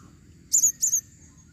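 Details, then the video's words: Female blue-crowned hanging parrot giving two quick, very high, shrill squeaky double notes, each slightly slurred, over a faint low hum. "serindit betina memanggil"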